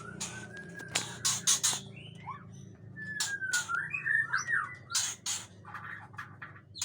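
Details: Long-tailed male Aceh white-rumped shama in an agitated state gives a drawn-out whistle and a jumble of warbled notes, broken by frequent loud harsh rasping bursts, over a low hum.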